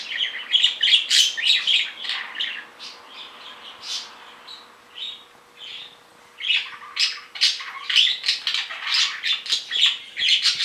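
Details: Pet male budgerigars calling while separated: dense, scratchy warbling chatter of rapid high chirps, with a quieter pause in the middle before the busy chattering resumes.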